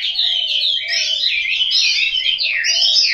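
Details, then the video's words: Short burst of Chinese hwamei song from a home-kept bird in Hanoi: loud, bright, sweeping whistles and quick warbles flowing continuously, with faint low notes underneath. "Họa mi"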